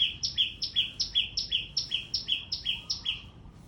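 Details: A small bird calls so loudly it seems to numb the ears, repeating shrill two-part chirps, high then lower, about two and a half times a second, the series fading slightly at the end.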